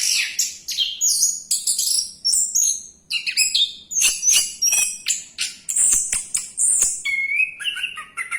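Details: Continuous varied song from an orange-headed thrush during its dive: quick high twittering and sharp whistles crowded together, ending in a slower series of lower, wavering whistled notes.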